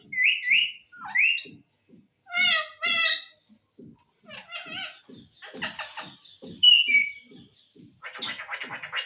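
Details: Talking green parrot producing a jumble of speech-like phrases, rising squeaky notes and buzzy repeated syllables, over a steady series of soft low taps in the background.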